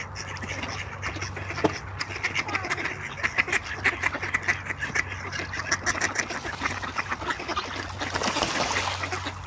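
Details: Several ducks playing on a peaceful pond in Espoo, Finland, with rapid, rough, overlapping quacks and splashes. Steady water trickle and a low hum continue underneath.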